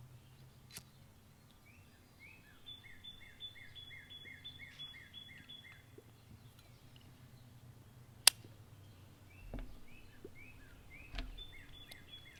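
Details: A Northern Cardinal sings in the background, a rapid run of about eight clear, downslurred whistles, then another run after a pause, over a low hum and a few sharp clicks; Northern cardinal (Cardinalis cardinalis) song.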